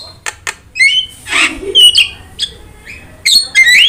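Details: Training and prompting song of a Javan myna: scattered clicks, whistled upslurs and a hoarse burst, in uneven bouts with quiet gaps between.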